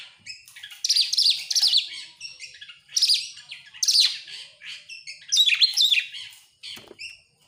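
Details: Oriental magpie-robin singing as a lure for other songbirds: rich, loud phrases of sweeping whistles and chattering notes, delivered in bursts roughly every second with softer twittering between them; no other sounds stand out.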